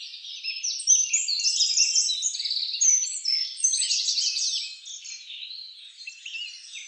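An American goldfinch sings a long, rambling run of bright twittering notes and quick warbled trills, high-pitched and nearly continuous, with no other sounds heard.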